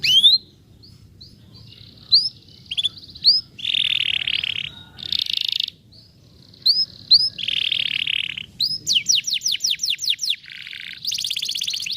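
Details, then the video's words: Canary in 'vara de pescar' song style, used to encourage a lazy canary to sing. Scattered high upslurred chips and short whistles alternate with flat, harsh buzzy phrases, ending in a rapid run of descending sweeps and a brighter trill. "som de vara de pescar canário preguiçoso"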